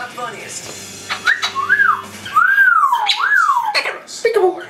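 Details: A pet hybrid macaw making affectionate sounds gives smooth, wavering whistles that slide up and down in long looping sweeps, with a faint electrical hum and soft indoor murmur behind.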